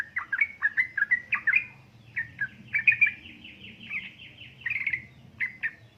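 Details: Yellow-vented bulbul female call meant to rouse lazy birds into song: a string of warbling, slurred chirps, then a steady sequence of repeated downward notes, ending with a few scattered chirps.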